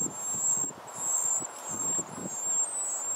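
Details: Wren nestlings, four hungry babies, beg as mother and father feed them: a high, steady, sizzling whine held in long stretches with short breaks, with soft low rustles and scuffing beneath.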